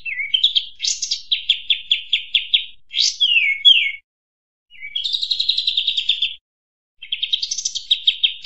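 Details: A noisy sooty-headed bulbul lure recording, used to attract birds. High chattering bursts of quick repeated notes, about seven a second, come with short swooping whistles in three runs split by brief pauses.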